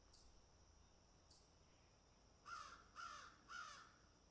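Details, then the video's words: Crows eating and picking: two brief high ticks, then three loud grating caws in quick succession, about half a second apart. "crows picking and eating"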